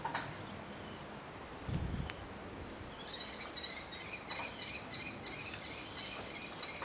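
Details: Young common kestrel in a cemetery tree, with another calling for food: a high, thin, whining begging trill of rapidly repeated notes starts halfway through and runs on steadily, over faint outdoor noise and a low thump.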